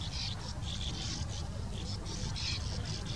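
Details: At a sand martin colony, several birds chatter at once in a steady stream of dry, buzzy twitters, over a heavy low rumble of wind.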